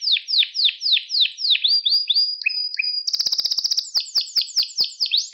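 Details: Pet canary singing, from a recording for training young canaries: repeated downward-sweeping whistles, a few flat held notes, then a rapid buzzy trill and more quick descending sweeps.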